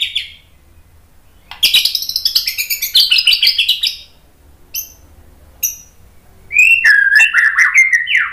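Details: White-rumped shama song used to provoke other birds into answering: a burst of rapid varied chirps and trills, a short gap with isolated notes, then a loud sliding whistled phrase near the end.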